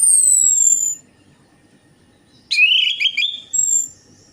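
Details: Orange-headed thrush song used as a singing lure: a thin descending high whistle, a pause, then a loud burst of warbling whistles and a brief high whistle after it.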